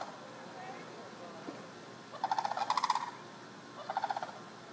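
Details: Neighborhood sandhill cranes heard through a window screen: two short rattling trills after a quiet start, the first longer and louder, the second brief, with low household background noise.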